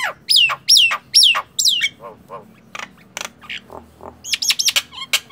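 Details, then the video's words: Nias hill myna in full song, meant for tutoring and stimulating other birds: three loud ringing whistles falling in pitch, a pause filled with softer low honks and clicks, then a rapid cluster of sharp upward-hooked whistles. "SUARA JALAK NIAS"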